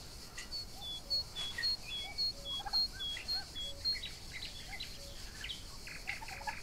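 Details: Young Royal Palm and Broad Breasted White turkeys grazing together outdoors on a summer day give short rising and falling calls, while another bird repeats a high, thin whistle about every half second.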